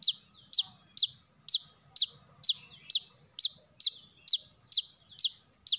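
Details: High-pitched, sharply falling chips of a brown-throated sunbird (kolibri manggar), used as a luring call for birds, repeated in a regular rhythm of about two notes per second with nothing else audible.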